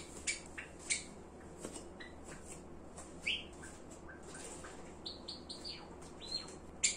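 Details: Java sparrow mixing sharp chip calls with soft clicks, then a brief series of short, level, high whistled notes in the last seconds, over a quiet indoor background.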